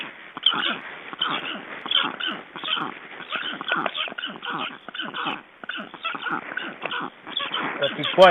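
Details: Estonian black storks during ringing, 29 June 2012: a stream of short whining, downslurred yelps in uneven bursts, with handling noise and a brief sharp sound at the end.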